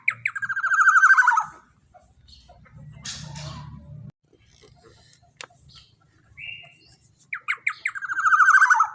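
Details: Black-naped oriole 'long shot' lure song for training cage birds: a loud fast series of rich notes falling in pitch, then a pause with low hum and clicks, then the same rapid descending run again.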